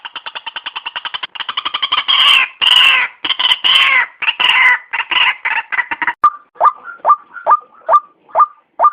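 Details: White-breasted waterhen lure call: a very fast chatter of nasal pulses builds into loud rasping croaks, then slows into evenly spaced, clear downslurred notes about every half second.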